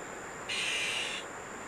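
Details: A single loud, rough, hissing rasp lasting under a second, from Azure-winged magpies tending chicks at Maeji-ri in Wonju, Korea. Quiet background on either side.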